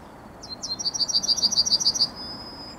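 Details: Yellowhammer in morning song, 9 May 2021: two sharp opening notes, then a quick, high, regular trill of about eleven notes ending in a thin, drawn-out high tone.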